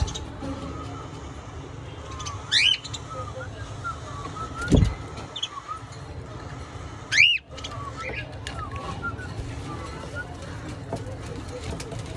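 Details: A 20-day-old hand-fed cockatiel chick, separated from its parents, gives a few sharp, rising chirps, spaced several seconds apart, as it begs for food.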